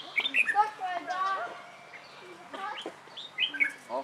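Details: A captive Sickle-billed vanga (Falculea palliata) at Vogelpark Walsrode, Germany, gives a quick series of harsh, nasal notes stepping down in pitch, with a second burst near the end and other birds chattering behind.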